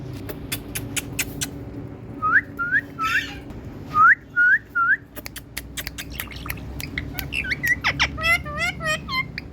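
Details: Pet parrot, Indian, indoors, calling in a sweet voice: series of short rising whistled notes in twos and threes, then quick chattering hooked notes, over a low background hum and clicks.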